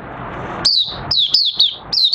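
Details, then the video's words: Oriental white-eye returning to song on 30 August 2022 while new white feathers finish colouring; after a moment of background hiss, sharp high chirps with downward slurs follow one another rapidly. "Mata Puteh Raja Buka Sing"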